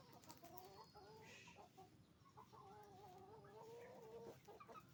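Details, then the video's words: Roosters and hens at a chicken farm making noise: overlapping clucks and drawn-out harmonic calls, one long wavering call near the end, over a steady crowded barn hum. "the sound of a chicken farm, roosters and hens making noise"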